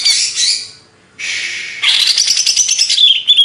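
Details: Greater green leafbird of the Banyuwangi type singing loudly: a harsh, buzzy high burst, a pause, another rasping block, then a run of rapid chattering notes ending in a thin whistle.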